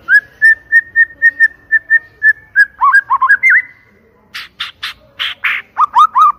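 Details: White-rumped shama giving a loud, clear song for luring other birds: a steady string of about a dozen identical whistled notes, quick looping phrases, a pause, then harsh rasping calls and whistles.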